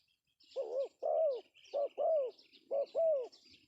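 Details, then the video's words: Male spotted dove calling, used as a lure; a phrase of six coos in three pairs, each a short note followed by a longer, arched, mellow coo, repeated in quick succession against a quiet background. "suara panggilan Tekukur pesom Cocok untuk pancingan"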